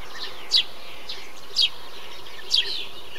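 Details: Three well-spaced, sharp chirps from a Eurasian tree sparrow, about one per second, in a bee-eater colony. Fainter trilling birds and a low rumble continue behind them.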